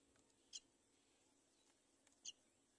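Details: At a nest, where a mother myna brings her baby to the nest's edge, two brief, thin, high squeaks sound about one and a half seconds apart over faint hiss.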